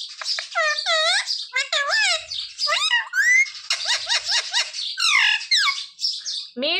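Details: Pet parrot, presented as a Ram Navami special, mimicking speech such as "Sita Ram": a rapid run of squeaky, warbling syllables with bent, rising and falling notes, packed closely for about seven seconds.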